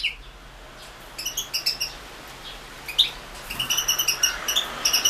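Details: European goldfinch singing for a 2016 world goldfinch song championship run online. Scattered bright chirps and clear high notes at first, then a quicker run of tinkling, bell-like twitters in the final seconds, over a quiet background hum.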